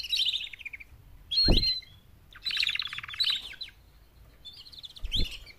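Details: Mating calls from four female canaries used to encourage males to sing: short separate phrases of high rattling trills with silent gaps, plus two low thuds.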